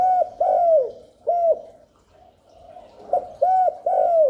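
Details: Spotted dove coos to lure wild doves and excite newly kept birds. Two phrases of full, hollow notes, each a brief note and then a longer, gently falling coo, come about three seconds apart.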